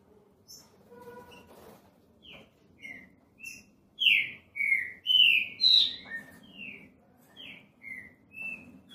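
A green-winged saltator sings loud, rich whistled phrases of slurred notes that rise and fall, about one a second, with softer chirps between and a faint low hum behind.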